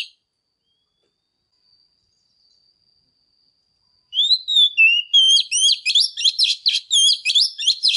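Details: Female oriental magpie-robin, after a long quiet stretch, bursts into loud whistled song: sliding, wavering phrases that quicken into fast repeated notes, with no other sounds.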